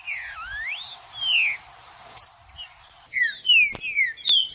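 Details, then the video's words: Green-winged saltator singing judas-type song used to rouse a cold bird: long swooping whistles dipping and rising, then quick clear down-slurred notes with a couple of sharp clicks. "MELHOR VÍDEO PARA ESQUENTAR TRINCA FERRO FRIO 2024 TRINCA FERRO JUDAS"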